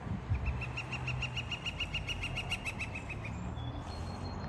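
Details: Woodpecker in Seattle, calling for females near a metal chimney crown: a rapid series of about twenty-two sharp, evenly spaced high notes over roughly three seconds, with low traffic rumble behind.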